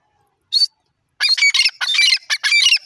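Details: Francolin calling: one short harsh note, a pause, then a rapid run of loud, raspy, high chattering bursts in quick succession, with no other sounds.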